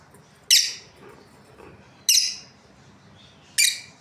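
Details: Australian lovebirds, a breeding pair, sounding three harsh, high chirps, each short and abrupt, roughly every one and a half seconds, over quiet low background hum.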